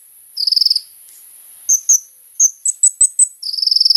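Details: Kolibri ninja sunbird song used to lure other sunbirds: a short, high, rapid trill, then a series of single sharp, high chips, then the trill again.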